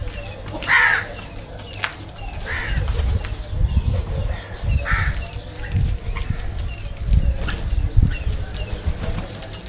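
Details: Crows feeding together in a group; a few hoarse, harsh caws come at scattered intervals over steady low rumbling and thumping noise in the background.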